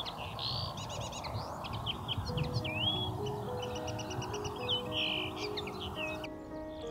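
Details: A Common Linnet at Rainham Marshes in spring, possibly breeding in a nearby hedge, sings a quick, varied twittering medley of dry trills, buzzy notes and short whistles, with soft background music entering partway through.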